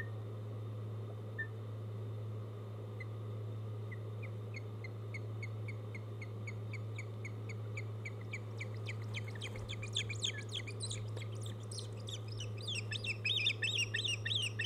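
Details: Ospreys at a nest on Hog Island on the morning of 1 August 2015, as the male brings a mackerel to the female. Short, sharp chirps start sparse, then quicken and grow louder into a rapid excited series over a steady low hum.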